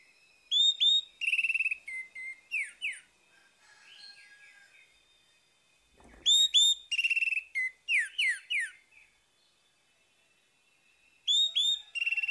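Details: Morning orange-headed thrush song used to get a silent bird singing again: loud bursts of rich rising and falling whistles, rapid trills and squeaky notes, separated by quiet pauses of several seconds with soft twittering.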